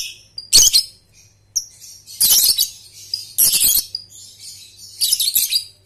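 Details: Lovebird training lure: four loud bursts of harsh, buzzy high chatter spaced about a second apart, linked by softer twittering and whistled notes, with a constant low hum in the background.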